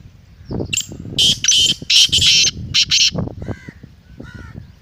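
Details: A loud series of about seven harsh, grating, rasping syllables from a black francolin, delivered in a quick, uneven rhythm. A softer nasal note follows. Low background rumble is present.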